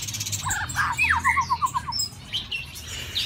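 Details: White-rumped shama kept in a cage during the mating season, singing a quick run of six short, evenly spaced whistled notes, about four per second, with fainter high chirps before and after.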